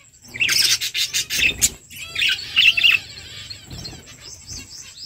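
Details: Budgies in a flock while eating: a loud burst of shrill, overlapping chirps, then softer warbled notes and a few clear whistled tones fading into quieter chatter.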